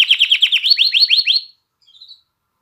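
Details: Canary song aimed at rousing females to breed and training chicks to sing: a quick series of about eleven upward-sliding notes lasting a second and a half, then a soft, faint short warble.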